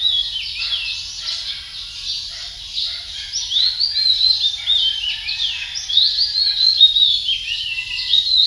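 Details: Male Philippine magpie-robin delivering loud, varied whistled phrases and quick rising and falling slurs, growing stronger halfway through, over a faint steady high hum.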